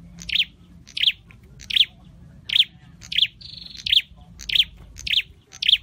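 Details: Caged scarlet-headed flowerpecker, an Indonesian endemic, in song training: sharp, high, thin chirps spaced under a second apart, with one brief flat whistle midway, over faint low background rumble.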